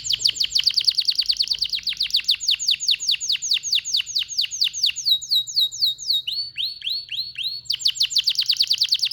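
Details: Domestic Belgian canary (Serinus canaria domestica), a male since only males sing, giving a fast, high rolling song: rapid repeated descending notes, a steady sustained whistle, then slower looping phrases before the quick trills return.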